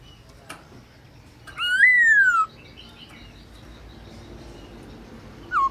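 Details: Black-throated laughingthrush (Garrulax chinensis), apparently a kept bird in training, singing at noon: a loud, clear whistle that rises then slides down over half a second, followed later by a short falling note.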